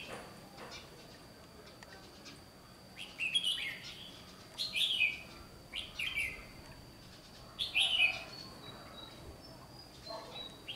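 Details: Red-whiskered bulbul in competitive singing, four brief bright warbled phrases spaced about every one to two seconds amid quiet background hiss and a steady high tone.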